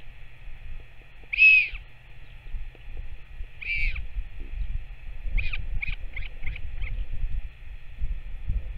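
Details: Northern royal albatross returning to feed its chick, 21 May 2024: two loud arched nasal calls, then a run of short clipped notes, over steady wind rumble and a constant high hiss.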